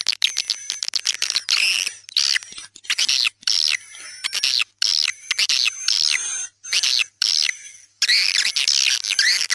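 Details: Swiftlet calling sound for dusk, tarik senja style, made as a lure: bursts of buzzy chattering twitters separated by short silences, with thin steady high tones above.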